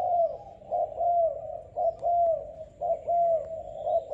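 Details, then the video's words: Young selected Malaysian-type spotted dove cooing: low, mellow hooting notes in linked two- and three-part phrases, repeating steadily about once a second. Faint chirps sound in the background. "Cu gáy Malaysia/chim tơ tuyển chọn"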